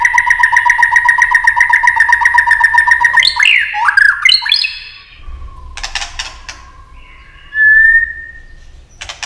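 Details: White-rumped shama in competitive singing mode, delivering long flowing song. Opens with a rapid, regular pulsed whistle, breaks into sweeping upward slurs and a few harsh notes, then fades to a soft sustained whistle and a brief loud bump.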